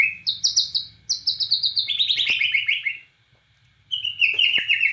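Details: Borneo white-rumped shama singing energetically: high sliding whistles at about four kilohertz pitch, then a falling series of rapid chattering notes, a brief pause, and a renewed warbled phrase, over a soft low background hum.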